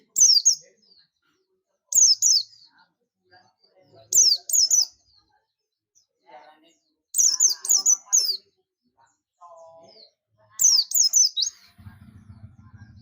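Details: Oriental white-eye, buxtoni form, calling in the ngalas style to bring other white-eyes in: repeated bursts of two to four high, sharp, downslurred chirps every two to three seconds, faint murmuring, and a low hum at the end.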